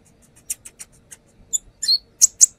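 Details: Brown-throated sunbird in a lure recording: soft, high, evenly spaced clicks and ticks, followed by a brief sharp squeaky whistle and two loud piercing chips.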